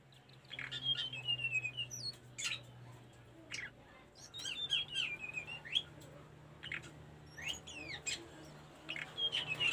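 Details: Tledekan gunung song used as a master recording for training caged birds: high thin whistled phrases that slide downward in steps, mixed with sharp chirps and clicks repeated several times a second, with a low steady hum underneath.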